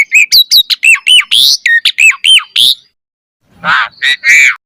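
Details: Asian pied starling singing a fast string of arched chirping notes and whistles, then a short pause before several harsh, grating squawks.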